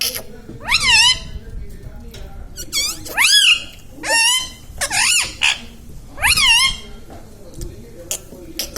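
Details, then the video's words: A pet Indian ringneck parakeet talks indoors, saying words such as mummy, papa and radhe radhe. It gives about five loud, harmonic syllables that swoop up and down, spaced roughly a second apart, with quieter clicks and room noise between them. "indian ringneck parrot talking video"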